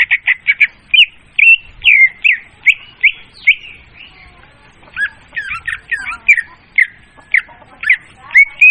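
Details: Leafbird lure sound for trapping, clear and loud: a long sequence of varied whistled phrases, about two per second, with short slurred notes and brief chattering runs over a quiet background.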